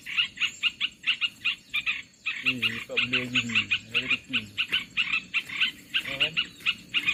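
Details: Olive-winged bulbul luring call for trapping: rhythmic bursts of harsh chattering notes, while a man's voice speaks briefly in the middle and again near the end.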